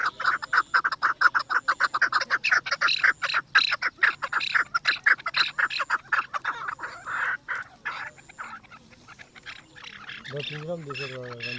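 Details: Chukar partridge from Pakistan, described as the national bird, excited and circling a female: steady, rapid series of loud chuck notes, about two per second for eight seconds, fading out, then a low drawn-out tonal sound at the end.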